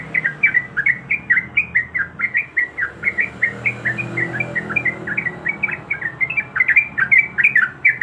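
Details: Yellow-vented bulbul female, in breeding condition, calls for a male with a fast run of short, gurgling, up-and-down notes, about two or three per second, over faint low background hum.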